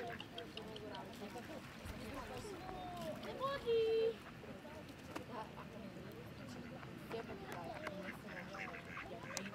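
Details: A Mandarin duck (Aix galericulata) at Lake Črnava, Preddvor, on 4 March 2023 gives a single loud, level, nasal whistled note lasting about half a second, over a busy backdrop of other waterfowl murmurs and distant voices.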